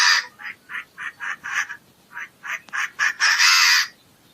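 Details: Chinese francolin giving evenly spaced rasping notes, roughly four per second, ending in one long, loud, harsh note.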